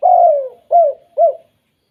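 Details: Mellow cooing of a spotted dove in its 'kuk 2' style, a call said to trigger other doves: one long sliding coo, then two shorter rounded coos, each slightly downward, ending in silence.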